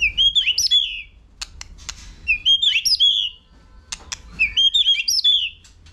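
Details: High, bright whistled phrases from a White-rumped shama urged to sing in contest, three similar bursts roughly every two seconds with clicking notes between.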